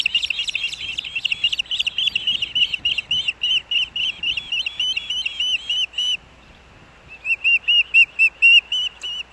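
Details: Male osprey delivering fish at breakfast time to a riverside nest in Missoula, Montana, 3 August 2024, nest camera: fast, loud whistled chirps running for six seconds, a short pause, then a quieter rising series.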